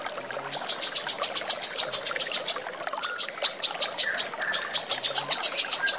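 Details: Female brown-throated sunbird used to train songbirds: three long, dense bursts of piercing, high, evenly repeated notes, separated by short pauses, with faint softer notes in between.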